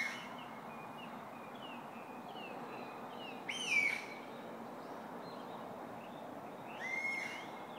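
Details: Morning wild bird chorus in Otsuki, Yamanashi, Japan, 5 May 2012, louder than the Chuo Expressway below: many soft, short chirps from several birds, broken twice by a loud, clear whistled phrase, all over a constant traffic rumble.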